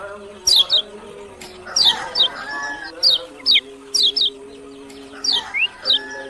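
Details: Lemon-bellied white-eye from Lombok giving short, sharp, high chirps that slide downward, mostly in pairs, spaced roughly a second apart against a quiet background with a low steady hum.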